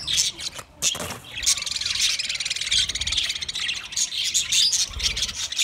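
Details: Continuous high, buzzy chatter from a crowd of budgerigars, twenty pairs in all, the squawks and chirps blending into a steady rasping wash with brief pauses.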